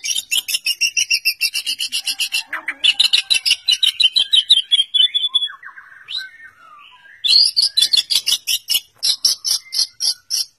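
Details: White-rumped shama, known for mimicking other birds, singing in a varied style: fast runs of sharp repeated high chips, a slurred descending whistle, a brief pause, then another rapid chipping series.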